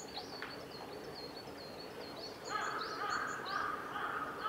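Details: Male red crossbill at Kawaguchiko Field Center, Japan, recorded on 14 April 2018: a run of short, sharp upslurred chip notes, repeated about twice a second, over a steady mid-pitched hum and soft background noise.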